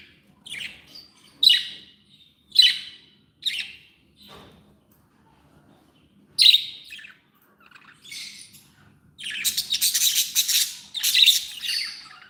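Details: Happy pet budgies making separate sharp chirps and squawks spaced about a second apart, then breaking into a louder, continuous run of buzzy, harsh chatter near the end.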